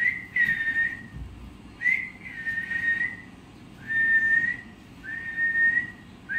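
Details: Parrot repeating clear, sustained whistled notes in pairs, with the phrases recurring about every two seconds. Each note holds steady and is smooth and pure in tone.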